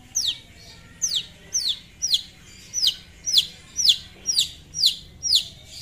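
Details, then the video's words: Long-tailed shrike (cendet) singing loudly to provoke a rival: a steady series of sharp downward-sweeping high whistles, about two per second, over faint background hiss. "PANCINGAN SUARA CENDET GACOR MEMANGGIL LAWAN"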